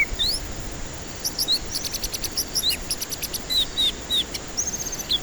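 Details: Song of a white-rumped shama intended to lure stressed, unwilling singers. A varied sequence of high sweeping whistles mixed with rapid stuttering rattle notes, ending on a level whistled phrase and a quick upslur.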